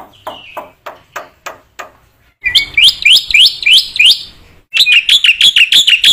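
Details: Black-winged myna singing vigorously, recorded as teaching material for other mynas: soft spaced clicks, then loud upswept whistled notes about four per second, followed by a quicker run of similar bright chirps.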